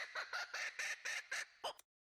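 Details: Laughing kookaburra giving a territorial call, a rapid run of harsh, cackling notes, about five per second, that breaks off abruptly.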